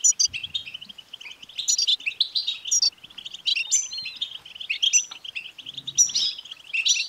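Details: European goldfinch chattering song used to stimulate a male goldfinch to sing: fast tinkling twitters packed close together, with sharp high buzzy phrases breaking through every second or so and a brief low thump near the start.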